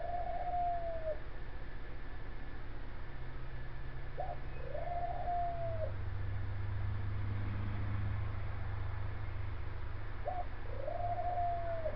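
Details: Female rescue dove kept in a cage on a front porch after breakfast, June 25, 2017, coos three times: each time a short clipped note, then a long, smooth, low purring coo that rises slightly and falls, spaced about five seconds apart.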